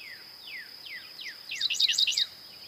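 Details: Falling whistled notes repeat about every half second before a dickcissel breaks in with a rapid string of five harsh, chirpy syllables over a constant high whine.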